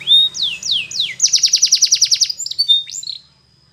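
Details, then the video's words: Spanish Timbrado canary singing in the morning: a few descending slurred whistles, then a fast rattling trill of rapid repeated notes, ending in short clear whistled notes, all high-pitched with a faint low hum beneath. "Canary TIMBRADO Singing In The morning"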